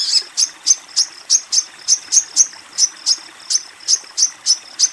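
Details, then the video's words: Female Crimson Sunbird calling a male with short, sharp, very high ticks, about three per second, fifteen notes in a steady, evenly spaced run. "Sogon BETINA Memanggil Sogon JANTAN"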